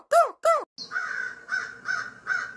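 An American crow gives two loud, hoarse caws, each arching up and down. A run of fainter, buzzy, evenly spaced notes follows at about two or three per second.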